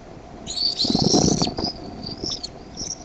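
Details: Bald eaglets in the Decorah nest on the evening of 13 May 2015 clamour when the mother brings food. A burst of shrill whistled calls comes with a loud rustle of wings or nest material, then fainter peeps.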